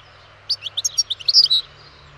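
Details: A European goldfinch delivers one short phrase of about a second: bright, tinkling chirps in quick succession, ending in a slightly buzzy slurred note.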